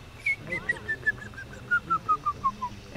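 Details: A sora hidden out of sight by a wetland near Whitehorse, Yukon, in July 2020, sings its descending whinny: about a dozen bright whistled notes sliding steadily lower over two and a half seconds, over faint low rumble.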